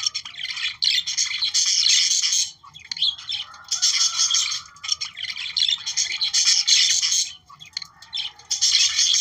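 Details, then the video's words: Budgerigar warble aimed at activating breeding, energetic bursts of squawky chirps and buzzing trills roughly every two seconds with brief quiet spells between. "Periquitos 🦜australianos para activar su reproducción"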